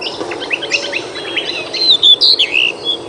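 A small songbird's bright, clear phrase of quick high whistles and short slurred notes, loudest in the second half, over a soft background hiss.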